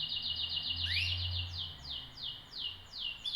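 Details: Canary singing a fast roll of high buzzy notes, then a rising whistle and a steady run of descending slurred notes repeated several times a second, over a low background hum.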